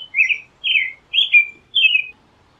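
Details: American robin singing: four clear caroling whistled phrases, each a slurred warble falling slightly, spaced about half a second apart, against a quiet background.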